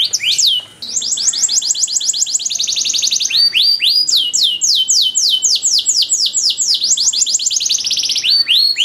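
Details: Canary performing a long, ornate master song meant to teach other canaries: a short scratchy opening, then sustained tours of bright descending whistles, fast and steady, switching rhythm every few seconds.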